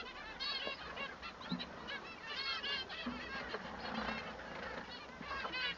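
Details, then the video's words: A male manon sings harsh, nasal honks with a cracking edge in quick bursts, over a busy background of other bird calls. "El canto del manon"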